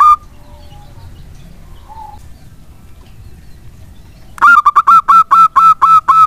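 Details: Local wild-type zebra dove song, used as a lure to set lazy doves singing. Over four seconds of quiet with faint tones, then a fast burst of about eight loud, clipped, ringing coos.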